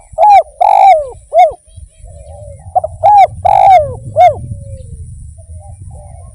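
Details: Spotted dove (derkuku) from Indonesia singing vigorously: a loud phrase of three arched, hoarse coos, then a second matching phrase after two seconds. Soft lower cooing sits between the phrases over a low rumbling hum.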